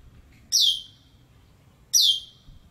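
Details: Asian glossy starling (Philippine glossy starling, Aplonis panayensis) at its nest site in Malacca, Malaysia, 20 April 2018 around midday, gives two shrill, metallic, downslurred notes about one and a half seconds apart over a faint low hum.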